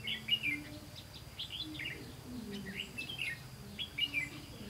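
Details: Red-whiskered bulbul at a trap on 18 September 2016, where a decoy lures wild bulbuls; repeated bright chirped phrases throughout, with loudest notes at the start and near the end, over faint low tones.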